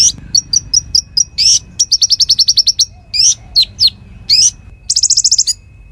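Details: Konin (Bar-winged Prinia) song used to tutor magpie-robins and fighter birds: scattered high chips, then a rapid chip series, rising buzzy sweeps and a closing fast trill.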